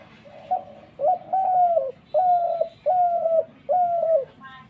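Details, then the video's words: Dove giving five loud, mellow coos. Each is a sustained, slightly wavering note that drops at its close, with short pauses between. A brief higher chirp sounds at the very end over a low steady hum. "ঘুঘু পাখির ডাক"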